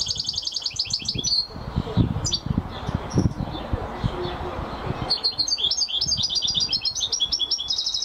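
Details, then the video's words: Champion European goldfinch singing: rapid liquid twittering trills at the start and again in the second half, broken by a stretch of low rumbling and knocking noise. "Carduelis(Goldfinch) Champion amazing singing !"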